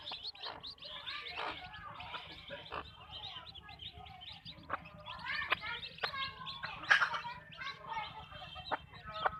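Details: Backyard chicken farm with hens clucking: short, stacked, repeated clucks and squawks throughout, some louder bursts near the end, over a continuous background of high twittering from small birds.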